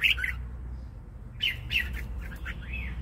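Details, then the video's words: Red-whiskered bulbul with a fine voice singing short, bubbly whistled phrases, ending with a rising-then-falling slurred note, over a low indoor hum. "Chào mào giọng hay"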